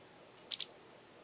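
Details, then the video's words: A garden Japanese wagtail gives a single doubled call, two short, harsh, high-pitched notes in rapid succession against a quiet background. "よく鳴くセグロセキレイ Japanese wagtail"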